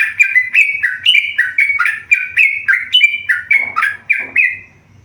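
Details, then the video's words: Tame yellow-vented bulbul singing a lively run of short whistled notes around a steady pitch, each opening with a sharp click-like attack, about fifteen notes in quick succession that fade out at the end. "burung trucukan gacor jinak"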